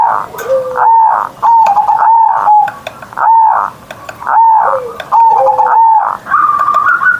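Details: Zebra dove kept as a cage bird, singing loudly each morning in the ngerot style; soft bubbling coos in steady bursts about a second apart, with a few lower sliding notes and a higher phrase at the end.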